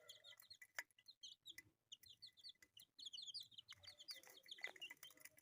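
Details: Dense chorus of high, sharp peeps from colourful pet chicks, chirps tumbling over one another almost without pause, with faint low hum in the background.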